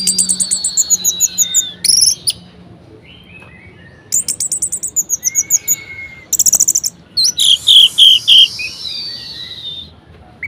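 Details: Orange-headed thrush in energetic varied song, meant to rouse quiet birds to sing: rapid runs of high chips, thin slurred whistles and dense buzzy bursts in several phrases separated by short pauses, over a faint low hum.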